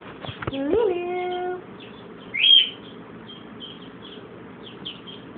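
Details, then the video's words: A blue-and-gold macaw that has a cold mimics a cough: a harsh, choppy cough-like burst, then a drawn-out hoarse voiced note and one brief squawk, over faint high chirping. "Blue and Gold Macaw mocking a cough!"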